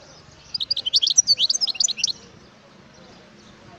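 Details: A wild European goldfinch gives a bright burst of rapid, liquid twittering. It packs many high chirps into about one and a half seconds, then falls silent, with a faint low hum underneath.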